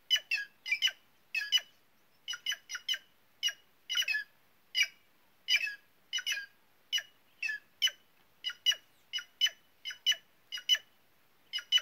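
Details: White-naped jay, a noisy, curious bird of the caatinga in semi-arid northeastern Brazil, giving harsh squawking notes singly and in quick pairs, about two per second throughout, with a quiet background.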